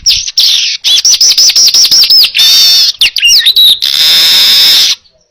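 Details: Baya weaver song meant as a training recording for other birds: a fast string of repeated arched whistled notes, then a long buzzy wheeze, twisting whistles and a sustained hissing trill, loud and close.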